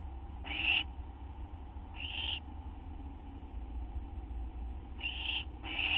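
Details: Owls at a nest around midnight, 6 September 2011, as prey is delivered and taken; four brief rasping, hissy screeches, two close together at the end, with a constant low hum underneath.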